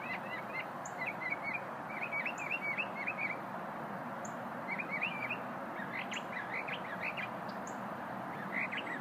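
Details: A small songbird of unknown kind singing in brief bursts of twittering, warbled notes with thin high single notes between, heard over a constant hissing background.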